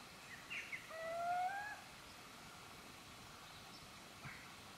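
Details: Little owl calling in Gmina Podedwórze on 2 November 2018: a single drawn-out, slightly rising mewing note lasting under a second, followed by quiet outdoor background hiss.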